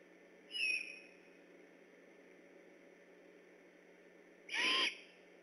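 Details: Great horned owls vocal near the Decorah eagle nest at night, October 3, 2015, on alert: a thin high whistled note, a four-second pause, then a louder harsh, broadband screech lasting about a third of a second over steady low hum.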